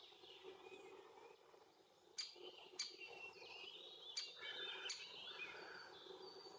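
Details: Great spotted woodpecker, young male with its mother at a tree hole shared with bees, Puszcza Bydgoska, Bydgoszcz, June–July 2023, Lumix FZ82; four sharp, short 'kik' notes spaced irregularly, over other songbirds and a low insect hum.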